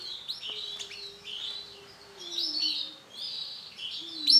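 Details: Male canary of orange Sunkist colour singing a continuous run of bright warbled phrases and buzzy trills, with brief sharp chirps between them and a steady low hum underneath.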